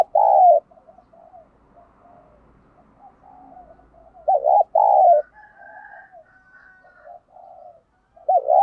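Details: Caged decoy spotted dove cooing intensely to provoke wild doves; loud, low, throaty coos in short bursts, opening the clip, again near the middle and at the end, with softer murmured coos between.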